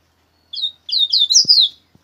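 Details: Double-collared seedeater song: a brief high whistled note, then a run of quick, slurred, warbling phrases rising and falling, all bright and clear on a quiet background.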